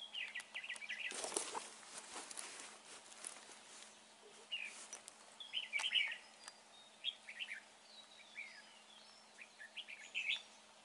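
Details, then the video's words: Red-whiskered bulbul at a bird trap, described as handsome with a fine voice: short warbled, chirping phrases come in loose bursts across the clip, with clicks and a broad rustling noise near the start. "Bẫy chào mào bộ đẹp. giọng hay."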